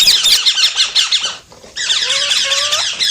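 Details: Parrot giving fast, scratchy high chirps for over a second, then a short quiet gap, then more chatter over which two long, clear whistles rise and hold steady.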